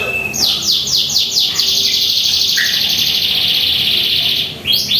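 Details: A white-rumped shama sings at home in the morning: a brief whistle, a string of quick falling high sweeps, then a sustained buzzy high trill.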